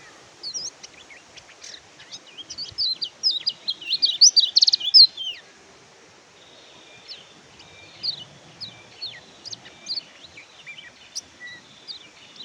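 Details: Twittering Oriental white-eye song: a lively burst of high, rapid chirps and slurred whistles peaks around the fourth and fifth seconds, then gives way to quieter, scattered high notes over a faint steady hiss.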